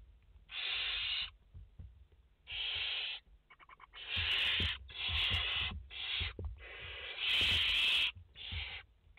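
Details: Barn owls, five chicks in the nest, live view on 29 August 2021: wheezy hissing bursts, first spaced out, then crowded together and overlapping, with soft thuds and scratching.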